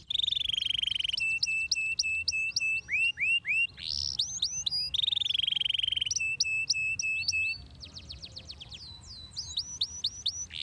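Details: Canary song meant to stimulate singing; long steady high trills, sharp repeated clicking notes, upward-swept whistles, the sequence repeating after about five seconds with a fast buzzy rattle near the end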